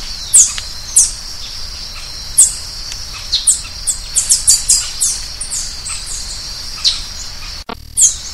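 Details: Green-headed tanager calling with sharp, very high, thin notes, first spaced widely, then a quicker run of tsips near the middle, against a constant shrill background hum; a brief cut near the end.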